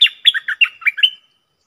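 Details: Red-whiskered bulbul working as a decoy, sounding a brisk phrase of rich, chirping whistles that flick up and down, about seven notes in just over a second, then silence.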